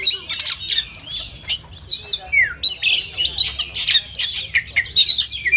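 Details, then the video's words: Oriental magpie-robin song in a contest simulation: looping warbled whistles, a clear downward slur, and busy chirping overlapping throughout. "SUARA BURUNG - SUARA JERNIH , SIMULASI LOMBA KACER TERBAIK , DIJAMIN NYAUT EMOSI"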